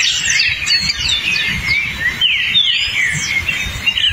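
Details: Hepatic tanager singing in the forest: short slurred whistled phrases, rising and falling, delivered in quick succession amid a busy chorus of higher, thinner chirps from other birds.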